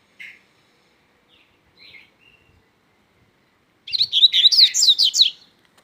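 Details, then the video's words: Double-collared seedeater singing strongly: after a few soft isolated chirps, a loud burst of rapid, high warbled and trilled notes runs for about a second and a half near the end. "coleiro mateiro cantando forte"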